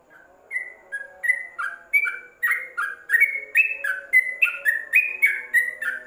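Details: Yellow-vented bulbul kept in a covered cage, used as tutor recording: begins softly then builds into quick, bubbly chirps around three per second, pitches bouncing up and down, low hum behind.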